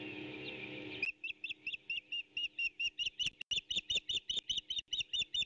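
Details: Ospreys at a nest on the Skidaway Audubon nest cam, 8 April 2018 near 11:18, as an intruder repeatedly tries to steal the pair's fish: after a second of rustling noise, rapid high whistled chirps repeat about two per second.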